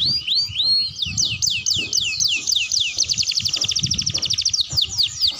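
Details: Young canary learning to sing, kept as a lure so other young canaries start singing sooner: quick downward-sweeping whistled notes give way to a fast, even rattling trill, then more sweeps, over soft low thumping noise.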